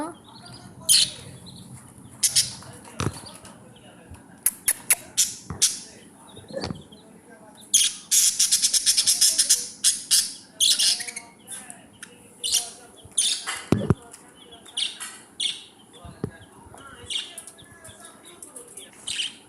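Budgerigars chatter with bursts of scratchy chirps, squawks and warbling notes.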